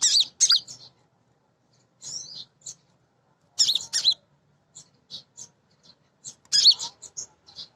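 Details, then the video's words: Female kolibri ninja sunbird singing to draw song from other birds. Loud bursts of high, scratchy twittering are separated by silent gaps, with soft, thin single notes scattered in between. "Kolibri Ninja BETINA Ngriwik Nyrecet Nembak Pancingan Paling Jitu Burung Bahan"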